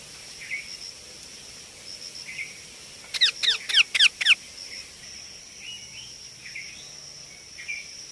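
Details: Baby Indian ringneck parakeet giving a quick burst of four harsh, chirping calls, each sweeping downward, packed into about one second, with a steady high hiss and a few faint distant chirps before and after.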